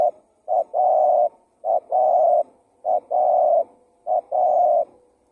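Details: Lure call of a spotted dove used to draw in wild birds: steady low coos, a short note followed by a drawn-out hoot, repeated regularly roughly once a second, no other sounds.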